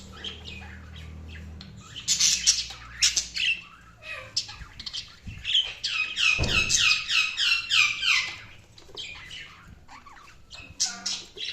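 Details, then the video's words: Budgies chirping and squawking: bursts of shrill, scratchy squawks mixed with quick repeated chirps, including a rapid run of short rising notes midway, with uneven loudness throughout. "Budgies Chirping sound"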